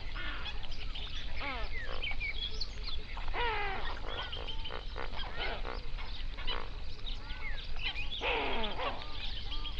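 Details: Hundreds of flamingos on a national park lake in South Africa's Overberg region, binaural recording near sunrise; busy chorus of honking and downward-sweeping nasal calls over constant low background rumble, other waterbirds possibly present.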